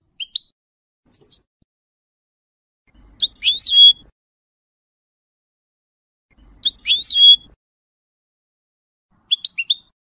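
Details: Sparse high twittering from a 2022 colour goldfinch hybrid sporting a large white bib, nearly through its first moult: a few scattered chirps and two longer squeaky phrases ending in a level whistle.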